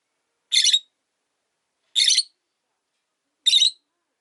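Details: Single pet rosy-faced lovebird left alone after its partner died, calling from its perch in a cage. Three brief, rasping chirps come evenly about one and a half seconds apart with quiet gaps.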